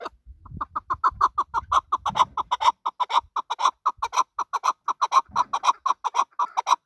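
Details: Male chukar partridge giving a fast run of clucking chuk notes, about two per second, steady in pitch and building in loudness, with faint low rustling early on.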